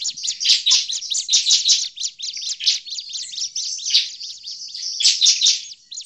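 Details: Bar-winged prinia giving an agitated call used as a lure for catching prinias in the forest: dense, rapid high chattering of short sharp notes, continuous over six seconds with brief pauses.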